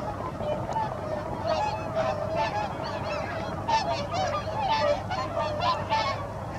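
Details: Swans taking off in a flock at dawn from Otomo Pond, Japan, heading to feed, 12 November 2022: many loud, overlapping trumpeting honks, with some clear whooping notes standing out above a constant low rumble.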